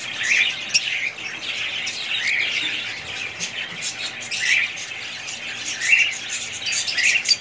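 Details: Budgerigar family warbling in rolling, high, twittering phrases that swell and fade every second or two, mixed with short bright chirps.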